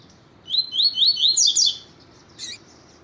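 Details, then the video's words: Double-collared seedeater (Sporophila caerulescens), coleiro tui tui, singing firmly with clean repetition: a fast run of bright high whistled notes with rising slurs, ending in a buzzy phrase, then a brief sharp note after a pause. "CANTO TUI TUI PROFESSOR COLEIRO TUI TUI FIBRA CANTO DE COLEIRO TUITUI PARA ESQUENTAR COLEIRO TUI TUI"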